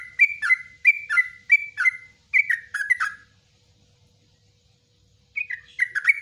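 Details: Yellow-vented bulbul singing in the ropelan style with nguklik and ngecruk notes, used as a master recording for training bulbuls: a quick run of about eight bubbly, slurred chirps, a silent pause, then the chatter resumes.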